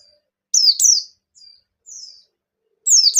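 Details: White-eye of the Bustomi type singing to spur other white-eyes to sing: two loud falling high whistles, faint thin trills after, and a final bright descending slur, 'ngalas nembak' style.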